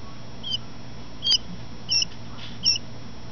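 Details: Coturnix, or Pharaoh, quail chick, 12 hours old, in a warm brooder box under a heat lamp, partly covered by a towel; four short, high, whistled peeps, slightly falling, roughly 0.7 seconds apart, over a steady low hum.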